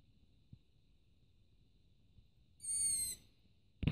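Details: At night, around 23:30, a Long-eared owl chick sitting on a roof begs for food, giving one high, squeaky, drawn-out note like a creaking gate, about half a second long, with a faint steady whine and a sharp knock.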